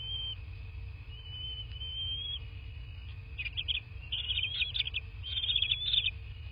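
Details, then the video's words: Bald eagle at a nest in southwest Florida, recorded by a nest cam at 23:19 on 13 March 2024; a drawn-out thin whistle is followed by rapid high chattering bursts, with a steady background tone. "Eagle Country Bald Eagles (Nest Cam)"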